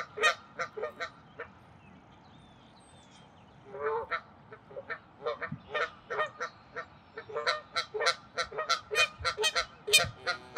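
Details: Canada geese defending territory at Wilde Lake, Columbia, Maryland, April 11, 2024: rapid bursts of harsh, nasal honks, quick and irregular, growing denser and louder toward the end, with a quiet gap early on.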